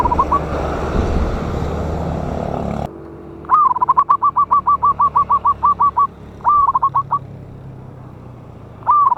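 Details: Loud local wild zebra dove, used as a trapping lure, 11/8/24. A swooping first note leads into a quick staccato series of clear whistled coos. A shorter burst follows, then a third phrase begins after noisy opening seconds.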